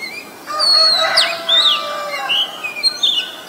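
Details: An Oriental magpie-robin, a very common resident of Ubon Ratchathani, Thailand, sings on 23 December 2019, recorded on a Nikon P1000: thin drawn-out whistles and sliding notes over a low, hoarse rooster crow.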